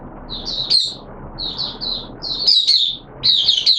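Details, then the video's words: Oriental white-eye kept as a hobby songbird, singing its buka sing opening song during wet weather, 6 September 2022: four high, tumbling twittery phrases separated by brief pauses, with a faint low background hum. "Mata Puteh T Rex Buka Sing"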